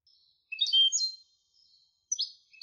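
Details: European goldfinch hybrid giving short bursts of high, scratchy twitters with slurred notes, broken by brief gaps; quiet background.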